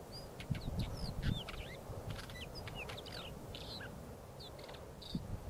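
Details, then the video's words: Northern wheatear defending its territory: short, high chirps, clicks and brief whistled notes scattered through the clip, some upslurred, over a steady low rumble of wind or handling noise. "Oenanthe oenanthe defendendo o territorio"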